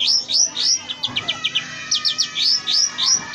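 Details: Oriental magpie-robin singing a mimicry-rich tutoring song: loud upslurred whistles alternating with short downward chips, delivered at roughly three to four notes per second.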